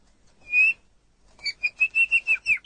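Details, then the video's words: White-rumped shama song on a master recording for training songbirds: a single clear whistle, a pause, then a quick series of about eight short, even whistled notes. "Ocehan Suara Burung Murai Batu"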